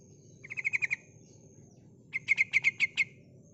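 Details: Female sooty-headed bulbul calling to prompt reluctant males to sing: two quick bursts of six or seven bright, clipped chattering notes over a steady high whine and low background rumble.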